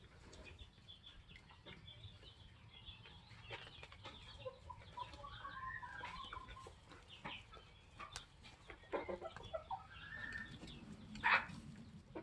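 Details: Young Polish layers, 21 weeks old, with their guardian rooster; soft murmuring clucks and a few drawn-out curving calls rise and fall over steady low rumble, ending with one brief sharper note.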